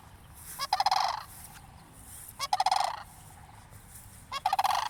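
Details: Cranes calling as a person draws a little closer: three hoarse, rolling rattle bursts spaced nearly two seconds apart, each a quick run of throaty pulses, with faint background hiss and rumble.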